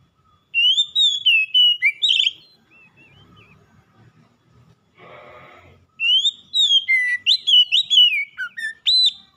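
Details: Oriental magpie-robin singing nonstop in gacor fashion: a whistled, chattering phrase, soft quiet notes, a brief rough noisy burst midway, then a long lively run of rising and falling whistles.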